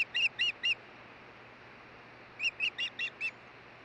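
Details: Three sharp whistled chirps, a silence of nearly two seconds, then five more, from an osprey at the Hellgate nest in Montana on 16 June 2013 during a nest changeover.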